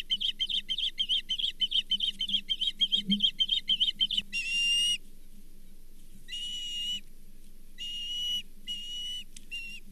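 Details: Osprey calling at the Charlo nest, 24 April 2023, during the sharing of a brown bullhead; rapid chirp series, then longer drawn-out whistles spaced with quiet gaps.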